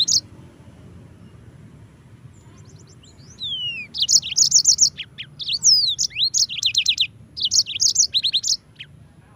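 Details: Yellow-fronted canary song meant as a tutor recording for training other cage birds. After about three quiet seconds comes a lively, varied warble of high sweeping whistles, rapid buzzy trills and clipped notes in short bursts.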